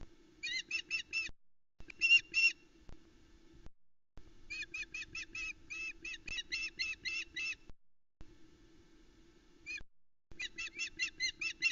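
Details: Calling female osprey near the Loch Arkaig nest, Scotland, 17 July 2020, as the male arrives with the morning's second fish, a large trout; fast strings of shrill whistled notes in separate bursts, low steady hum beneath.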